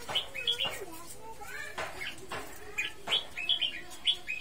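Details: Red-whiskered bulbul singing a string of short, bright whistled notes, several rising or falling in quick bursts, with a human voice speaking quietly underneath.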